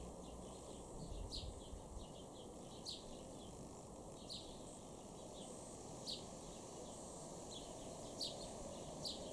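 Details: House sparrow (Passer domesticus) in a garden in Weener, East Frisia, northwest Germany, July 2023: short, bright chirps every one to two seconds, fairly faint over a steady low rumble and background hiss.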